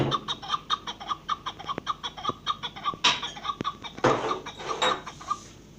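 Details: Partridge calling in a steady series of short, harsh clucking notes, about one to two per second, with a few sharp clicks and brief bursts of other noise between them.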